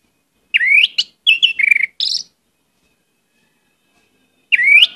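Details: Varied song of an orange-headed thrush meant to stir other birds to sing: a rising upslurred whistle, a burst of falling notes, then a high squeaky note, a long pause and the rising whistle again.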